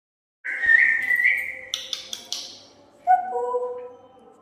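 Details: Pet parrot whistling in response to its owner: a sustained, slightly wavering whistle, followed by Hindi speech from a person calling the bird over.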